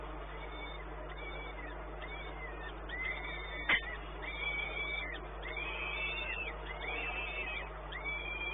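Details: Peregrine falcon at the Orlen site in Płock, Poland, recorded 1 May 2019 around 12:57; a run of drawn-out, arched, slightly nasal calls from about three seconds onward, with a single sharp click and a steady low hum throughout.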